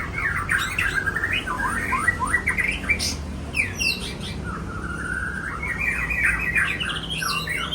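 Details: White-rumped shama of the Aceh type singing a rich, varied song of rapid whistled and chattering phrases, sliding notes and sharp chips, nearly continuous, over a steady low background hum.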